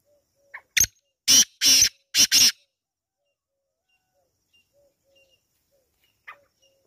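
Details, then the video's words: Black francolin (kala teetar) calling: four loud, harsh, grating bursts packed into about two seconds, then near silence with a few faint, low, short whistles and a soft chirp near the end. "Kala teetar ki awaz"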